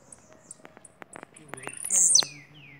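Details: Single loud, high, buzzy phrase from a Bahian blue-black grassquit, preceded by scattered clicks and taps.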